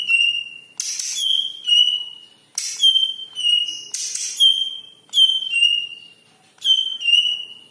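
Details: Leafbird (cucak ijo, yellow-headed) singing as a lure recording: loud sustained whistled notes in pairs, each pair opened by a rasping burst, repeated roughly every one to two seconds.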